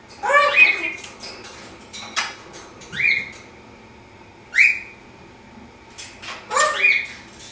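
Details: Caged pet African grey parrot talking while doing flips in the morning: a harmonic spoken-sounding phrase, then short rising whistles repeated every one to two seconds, ending in another voiced phrase, room ambience.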